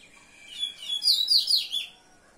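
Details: Common seedeater delivering a quick, high twittering phrase of about four sharp, slurred notes that rise and fall, loudest in the middle, over a quiet background.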